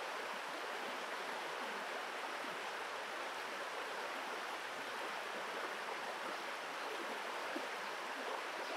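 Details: Continuous rushing of a stream, an even wash of water noise with no animal calls.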